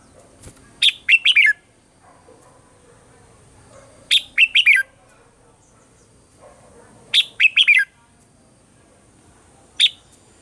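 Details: Red-whiskered bulbul singing in the morning with a mature wild-type voice, used as a model for training caged birds: three phrases about three seconds apart, each a rapid cluster of loud, sharp, slurred chirps falling in pitch, plus one lone note near the end.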